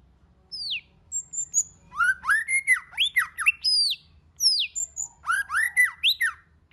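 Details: Varied White-rumped shama song meant to trigger singing in other birds: falling whistles, then dense runs of upswept whistled phrases with high metallic ticks, in bursts separated by short pauses.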